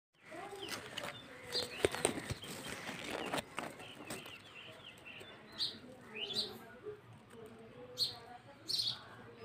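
Bulbul nestlings give thin, high rising squeaks in short bursts about once a second, over a busy background of rustling and other chirps.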